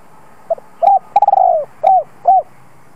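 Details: Spotted dove call used to lure wild doves, heard as one phrase of mellow hoots around a long rolled coo that starts in quick pulses, on a quiet background.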